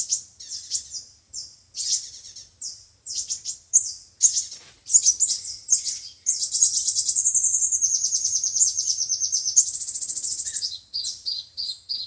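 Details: Sunbird song, five- and seven-coloured types, used with a speaker to lure and trap birds: spaced sharp high chips, then a long, buzzy, very high trill lasting several seconds, ending in more chips.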